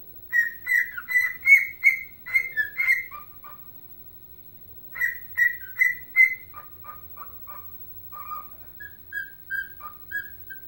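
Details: Whistled Chelsea Dagger from a pet bird that loves the Chicago Blackhawks. Quick groups of bright whistles alternate with runs of lower, evenly spaced notes, broken by a pause of a few seconds.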